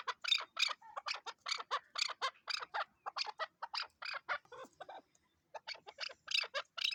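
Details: Chukar partridge calling: a rapid series of short, harsh chuck notes, about five per second, broken by a brief pause near the five-second mark before the series resumes.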